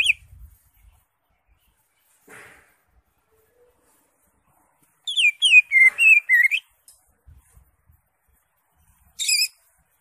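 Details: A greater green leafbird (cucak hijau) in steady song with raised crest, its song rich in fill-in phrases and suited for training other birds. After a faint note, there is a quick burst of high descending and rising whistles, then one short sharp note.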